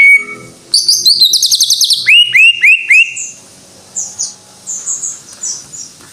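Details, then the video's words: Greater green leafbird singing in 'gacor' style: a fast buzzy trill, then four loud whistled notes that each rise sharply, followed by softer, high rasping notes. "Suara Burung Cucak IJO FULL Gacor"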